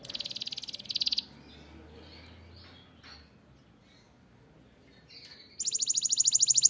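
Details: Captive canary in a breeding room singing: a loud, buzzy, fast trill for about a second, a quiet stretch with a few soft notes, then the rapid high trill returns, growing louder.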